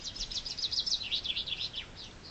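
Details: Chaffinch singing in spring: a fast descending series of bright trilled notes, accelerating and ending in a dropping flourish, about two seconds long, clear against a quiet background.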